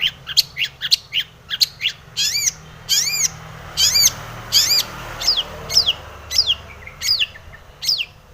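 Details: Long-tailed shrike provoking other shrikes to sing: quick sharp chirps at first, then loud arched nasal notes and down-slurred whistles repeated more than once per second, over faint low hum.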